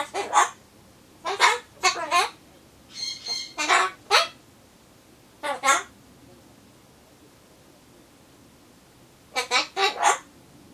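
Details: Solomons corella alone while waiting for pumpkin, rehearsing Japanese goodbye phrases; clusters of harsh, clipped syllables, one with a brief whistle, separated by pauses, and a final rapid trio of words.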